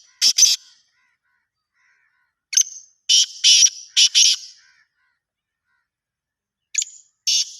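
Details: A black francolin repeats its rasping call. A double clipped note is followed by a phrase of four harsh buzzy notes, then another paired burst near the end against a silent background.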